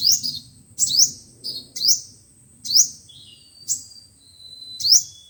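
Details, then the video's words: Trapping lure playback of five-colour and seven-colour sunbird song: crisp, piercing upward-slurred notes in clusters about a second apart, one trailing thin whistle, against a nearly quiet low background. "Tiếng chim hút mật 5 màu và 7 màu dùng để bẩy loa"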